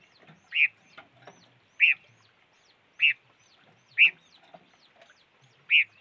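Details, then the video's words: Bird repeating a loud, clipped chirp five times at roughly one-second intervals, with quieter twitters from other birds filling the gaps. "Suab noog rheeb quaj chim ngũ sắc"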